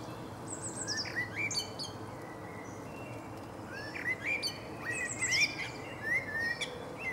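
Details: Male blackbird in Berlin, Germany, in April 2015, delivering mellow, fluted warbles separated by pauses. Each phrase closes with squeaky high twitters over a steady hum of distant background noise.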